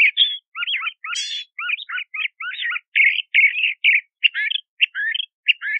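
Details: Song of a Crissal thrasher: dense, continuous stream of varied warbled, scratchy and chirping phrases with a short buzzy burst early on, notes following rapidly with almost no pause; clean background.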